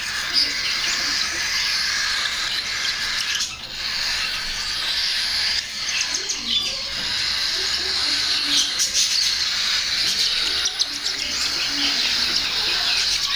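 Cockatiel chicks make a constant raspy, hissing chorus of high begging calls while being hand-fed.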